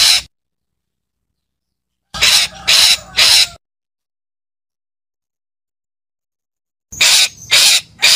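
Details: Two bursts of calling from a parakeet, each made of three harsh, raspy screeches in rapid succession, with a few seconds of silence between the bursts.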